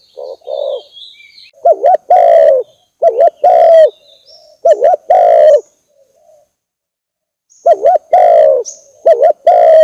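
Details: Lure recording of a spotted dove: wavering, throaty coos in grouped phrases separated by pauses, with faint high whistles and chirps of other birds behind.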